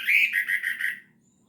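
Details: Orange-headed thrush, a captive songbird, gives a brief burst of song: a second of rich, slurred whistled notes in quick connected pulses at mid pitch, then fading, with a faint low hum underneath.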